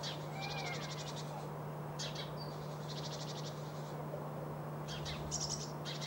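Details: Great tit in a residential garden in spring, gathering food for its young; bursts of dry, buzzy, rapidly repeated chattering notes in several runs, with a thin rising whistle early on and a steady low hum throughout.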